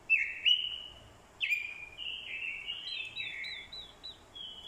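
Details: Orange-headed thrush decoy male in fighting song, provoked by female calls: sharp whistled bursts with downward slurs, then a rapid chain of wavy high notes running on without a break.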